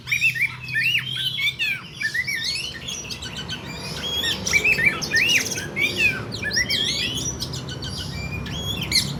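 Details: Fighting Oriental magpie-robins, used for mental training: busy overlapping chatter of sliding whistles, buzzy chips and squawks from more than one bird, continuous throughout, over a faint low hum.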